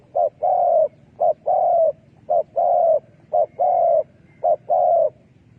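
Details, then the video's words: Spotted dove decoy sound used to attract wild doves to a trap. Five quick phrases each pair a short clipped coo with a longer sustained coo, in a steady, insistent rhythm. "លលកធ្នាក់សម្លេងដេញព្រៃ Good Dove trap"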